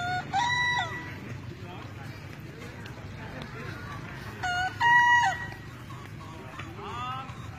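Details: A bekisar at a crowing-art contest in Solo on 7 May 2017, main-class final, gives two short, shrill crows, each a brief strained burst, over murmuring voices.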